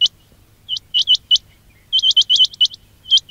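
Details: Quail calls used for trapping: sharp, high, upward-flicking chirps given singly and in quick runs of two to five. Gaps of silence separate the runs, over a faint low hum.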